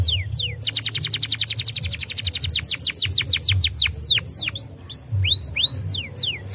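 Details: Canary singing a lure song used to get young canaries singing quickly. A loud, rapid trill of downward-sweeping notes is followed by slower falling whistles and then upward-curving chirps, over a steady low hum.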